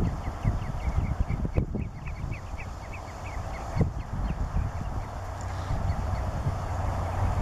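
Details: Black-winged stilt, a male, at Landje van Geijsel, 12 May 2020, giving quick runs of sharp, high kek-like yelps in bursts, set against constant low-pitched wind and background rumble.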